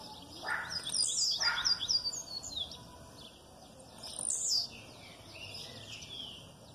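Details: Blue-black grassquit in aggressive song, female calls in the background. High, steeply descending buzzy notes come about three seconds apart. Quicker twittering chirps and short lower calls surround them.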